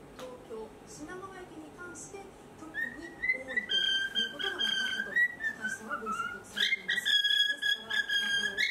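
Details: A 4-year-old pet cockatiel sings in the morning before its cage is opened, whistling clear, sliding phrases that rise and fall, louder and more sustained midway, with soft human voices murmuring at the start.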